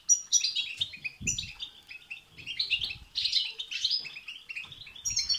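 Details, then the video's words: European goldfinch singing batbata and satsata, to spur another goldfinch into song: rolling high twitters and buzzy trills in rapid bursts, with occasional soft low flutters. "بتبتة وستستة تخرج الحسون عن السيطره..... هيجان خرااافي تسببه هذه البتبتة نار على نار سيغرد حسونك"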